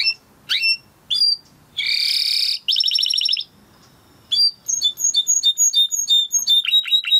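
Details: Timbrado canary training song: a few sharp rising chirps, a harsh buzzy burst, a rapid rattle, then a quick run of clear high whistled notes repeated in rhythm; light background hiss.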